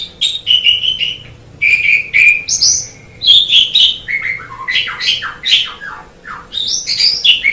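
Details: Javan pied starling delivering a long, varied song of repeated whistles, a drawn-out clear note, scratchy chatter and squeaks with hardly a break.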